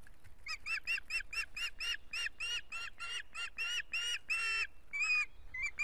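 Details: Estonian osprey nest in June 2017 during a dominance struggle among week-old chicks: a rapid series of harsh, ringing chirps, roughly two per second, each with strong overtones, ending in a few thinner whistled notes.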